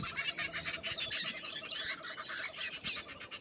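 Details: Lorikeets in Australian wildlife setting, many birds screeching at once in a steady harsh chatter, with piercing high whistled notes standing out near the start.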